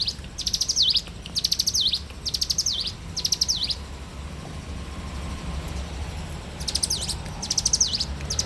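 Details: A bar-winged prinia sings in the morning, four rapid high ticking phrases with dipping endings, then about two and a half seconds of quiet background before the phrases resume.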